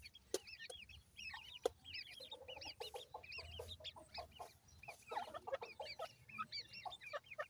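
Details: Several grey francolin chicks peeping together, with rapid, high-pitched whistled notes that rise and fall, crowded into a continuous twittering chorus and broken by occasional sharp taps.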